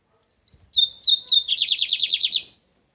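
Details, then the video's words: Lined seedeater in the American song style, kept by a breeder in Brazil: a few clear high whistled notes, then a fast buzzy trill of about ten rapid pulses lasting about a second. "Só uma palhinha do bigode Americano"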